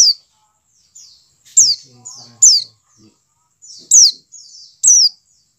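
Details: White-eye (pleci dakun) calling, used to coax captive birds into song: high, sharp downward-sliding notes mixed with buzzy trills, with brief low rumbling sounds partway through.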